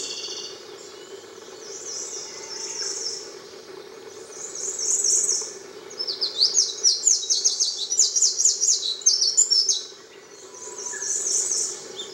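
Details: Eurasian wren of the mosukei subspecies singing at Tairo-ike pond on Miyake-jima, Japan, 22 May 2011, heard calling there since April: high, rapid metallic trills in long bursts with short gaps, over a steady low hum.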